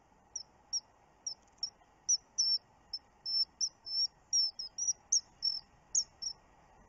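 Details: Common kingfisher on webcam footage from 29 June, giving a steady series of short, sharp, high-pitched whistled notes, some doubled, repeated roughly every third of a second and growing louder toward the end.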